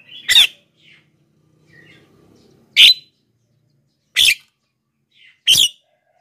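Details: Black-winged myna in vigorous song, meant to pull in wild birds and to wake lazy singers. Four loud grating bursts come roughly every one and a half seconds, with quiet chatter between them.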